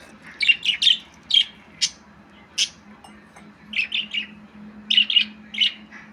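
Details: Budgerigar chattering in quick groups of two or three bright, raspy chirps separated by short pauses, with a soft continuous low hum in the background.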